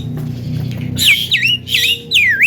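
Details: Javan myna, a bird that mimics coughing, laughing and guitar sounds, bursts into loud, shrill swooping whistles and squawks after a second of low background hum.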